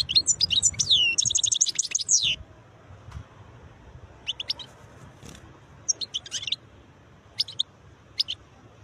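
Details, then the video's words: European goldfinch, a khlawi singer, delivering beautiful notes: a dense two-second run of bright, high twittering and tinkling trills, then scattered short chirps and brief trilled phrases over faint low background rumble. "تغريد حسون خلاوي نوطات جميلة"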